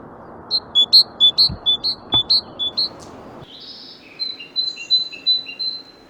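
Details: Great Tit singing a bright two-note phrase, high then slightly lower, repeated about eight times in quick even rhythm, then switching to a second, lower-pitched two-note phrase repeated about five times.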